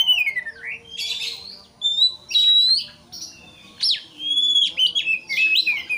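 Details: White-rumped shama provoking an opponent with song: descending whistles, a sustained pure note, and rising slurred phrases mixed with brief harsh elements.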